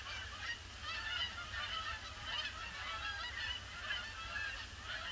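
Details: A huge flock of Canada geese arriving at a pond, circling before landing, on a gloomy grey Boxing Day, honking continuously in overlapping nasal calls with no pauses, over a low steady rumble.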